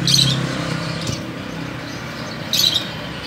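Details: A finch in a breeding cage gives two brief, high chirps about two and a half seconds apart over a steady low mechanical hum.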